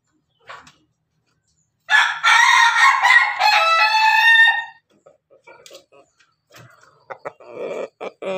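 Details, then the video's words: Pelung Bangkok chicken feeding alongside hens, giving one loud, rough, harmonic crow of about three seconds that wavers slightly in pitch, preceded by a faint short note and followed by soft scattered clucks and scratching sounds. "ayam pelung Bangkok makan bersama ayam babon, suara ayam ketawa berkokok"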